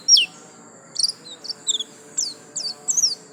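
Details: White-eye, 'gacor lasroll' style: spaced bursts of high, thin notes, each a quick downward slur or paired chip, arriving roughly every half second against a quiet background.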